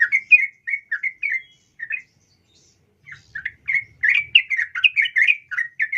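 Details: Sooty-headed bulbul female calling to a male, used as a lure: clear, evenly spaced bubbly chirps, a brief pause, then a quicker run of bright warbled notes, with a nearly quiet background.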